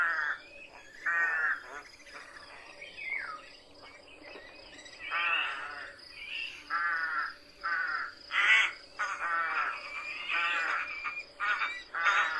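Jackdaws give short, harsh, nasal 'chack' calls, about fifteen in quick irregular bursts, some overlapping as if from several birds, over a faint steady background hum.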